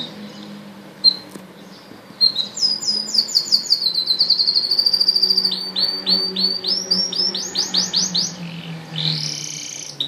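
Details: Red factor canary, kept apart so a female can sit calmly on eggs, singing: a few soft notes, then a fast even trill, followed by a series of rising, swooping rolled notes, with faint low hum.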